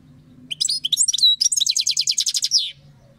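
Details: European goldfinch melody: high, bright twittering notes open the phrase, then a fast run of about fifteen evenly repeated chips, ending in a short falling sweep, with faint low hum underneath.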